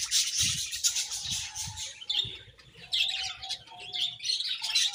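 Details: Rapid high budgerigar twittering with squeaky, buzzy phrases, a few sharper chirps, and soft low thuds early on beneath the chatter.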